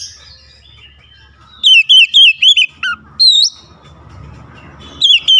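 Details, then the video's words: Oriental magpie-robin singing with wide-open beak: after a low background hum, a fast series of sharp looping whistles, a lower dropping note, one strong rising whistle, then another quick pair. "KICAUAN KACER BUKA PARUH LEBAR TEMBAKAN PEDAS"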